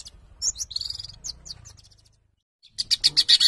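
Long-tailed shrike twittering in high, scratchy chirps, then a brief pause and a burst of sharp notes repeated about four times a second.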